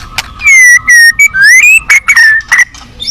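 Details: A white-rumped shama at a song contest, described as fierce with rich fill-in phrases, sings steady, clear whistles with strong overtones, each held briefly, then slides upward into a longer rising whistle and quick falling notes.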